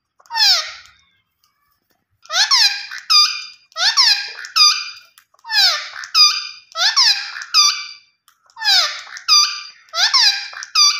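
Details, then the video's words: Green Ringneck (Rose-ringed) parakeet natural calls: loud, harsh, screeching calls, each a descending squawk followed by short grating notes, repeated in bursts about once a second. "Gareen Ringneck Parrot Natural Sounds Vice"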